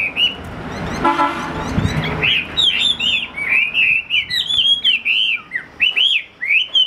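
A Chinese hwamei sings a rich, unbroken run of loud, clear whistled phrases that slur up and down, after a brief burst of rough background noise at the start.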